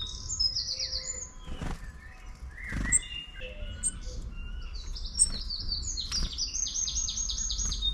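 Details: Long-tailed tit in a town setting, with scattered thin high notes building to a long, fast series of buzzy trilled calls near the end, a few sharp clicks and soft low background noise throughout.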